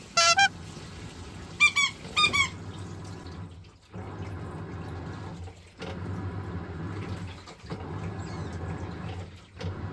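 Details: Pet white-bellied caique indoors, excited by a running washing machine and drawn to the sound of water: two short bursts of shrill, harmonic squawks near the start, then only the steady churning hum and sloshing of the machine.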